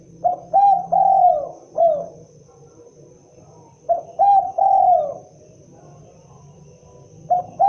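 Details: Spotted dove, known locally as derkuku or tekukur, giving its typical cooing call: two phrases of low hollow coos, a short note, a second, then a long drawn-out coo falling at the end, with a quiet pause between phrases.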